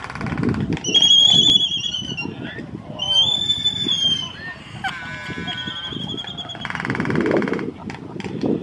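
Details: Laysan albatross in a small breeding colony overlooking the ocean on a golf course in Kauai at sunset, amid courtship behaviour. Bursts of harmonic, whistled and nasal calls, some sliding downward, with people talking nearby.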